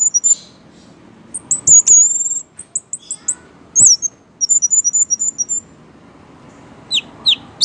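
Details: A caged orange-headed thrush sings actively in a swaying, drunk-looking display. It gives high, thin whistled phrases: a sliding note, then a quick chattering run and a few downslurred whistles, with two sharp clicks.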